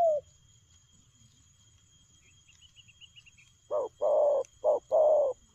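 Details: Spotted dove coo at the start, a quiet gap with a faint series of high chirps from a small bird, then a quick burst of four coos, short and long, in the fast 'lèo gù' style.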